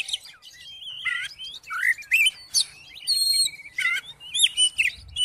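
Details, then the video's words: Oriental magpie-robin song, played to provoke another magpie-robin into singing: varied loud whistled phrases, some slurred upward, some buzzy, separated by short pauses, with high thin notes mixed in. "KACER MACET MALAS BUNYI??? COBA DIPANCING DENGAN KICAUAN KACER INI"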